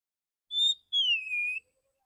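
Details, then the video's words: Male Oriental magpie-robin in clear "ngeplong" voice giving a short, pure whistle followed by a longer whistle that slides downward, in a quiet setting. "burung kacer jantan dor dor tembakan full suara ngeplong jernih"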